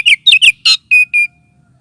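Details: Oriental magpie-robin lure call, also used as therapy for birds lacking aggression: three quick swooping whistles, a harsh buzzy note, then two flat, level whistled notes.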